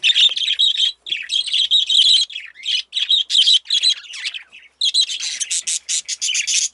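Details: An excited budgie flock chirps in separate short bursts of high, squeaky notes, roughly forty a minute, ending in a quick run of sharp ticking chirps.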